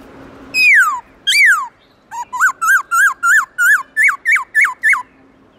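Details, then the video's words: In the morning, a black-throated laughingthrush sings in the forest-voice style. Two loud downslurred whistles open, followed by roughly ten quick, rich, wavering notes repeated in a steady series. A faint low hum is underneath. "Khướu bạc má HÓT GIỌNG RỪNG buổi sáng"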